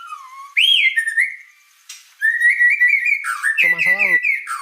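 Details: A white-rumped shama sings in full voice, with a low slurred note and a rising high whistle, then a sustained run of bright repeated whistles. A man's voice is heard briefly.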